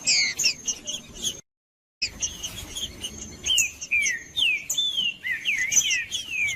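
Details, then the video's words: Caged green-winged saltator song used to warm up a cold bird: rapid bright whistled notes, falling and rising slurs in a busy run, broken by a short silent gap, over a constant high tone. "ESQUENTANDO SEU TRINCA FERRO MELHOR VÍDEO PARA ESQUENTA TRINCA FERRO FRIO COM TRINCA FERRO CANTANDO"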